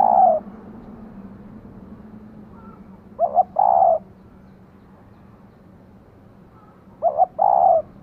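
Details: Decoy female spotted dove coaxing a male: repeated husky phrases roughly every four seconds, each a quick double note followed by a fuller rolling coo, over a steady low background hum.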